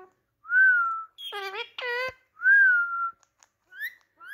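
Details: A talking Indian ringneck parakeet (Psittacula krameri manillensis) gives two smooth rising-falling whistles, with a pair of buzzy, voice-like mimicked phrases between them, in a quiet room.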